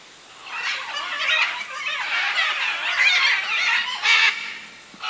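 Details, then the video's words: Many macaws with other birds gathered at a jungle clay lick in the Manu area of Peru, 2008; a steady wall of raucous, grating squawks swelling and fading, with one sharp louder screech near the end. "Macaw clay lick"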